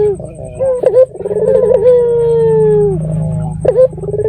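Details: Red-eyed dove, a local bird sounding in full voice, used as a lure call to make other doves answer; rolling, purring coos, then one long drawn-out level note that slides lower at its end, over a steady low hum.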